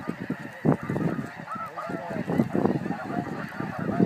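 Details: Snow geese in a flying flock give a dense chorus of nasal, yelping honks, many birds overlapping in quick succession, with low thumping rumbles beneath.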